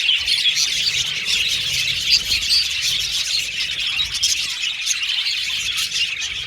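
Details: Budgerigars chirping happily in a dense, unbroken chatter of many overlapping high, scratchy warbles and short squeaks, with no pauses throughout.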